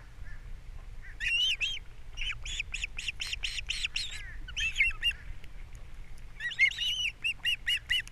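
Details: Nesting osprey on Captiva, the male arriving with breakfast fish and the female feeding her young; long series of clipped, high whistled chirps in quick succession, pausing and resuming several times.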